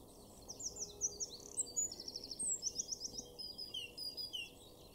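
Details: Eurasian wren in a garden in Weener, East Frisia, in Germany's far northwest, April 2024; a rapid, high, piercing outpouring of sharp chips and fast trills running almost unbroken for five seconds over a low steady background hum.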